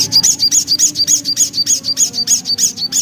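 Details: Javan black-capped babbler, locally called sogok ontong, singing in a lively gacor ngriwik style: a rapid, very regular series of high chirping notes, about three per second, steady throughout with a faint low hum behind.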